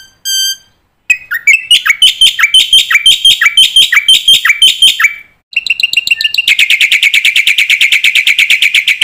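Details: Black-winged myna master song used to train young mynas, full of varied filler phrases: a brief harmonic whistle, then a rapid series of sharp chirps with a buzzy drop, and finally a dense fast trill.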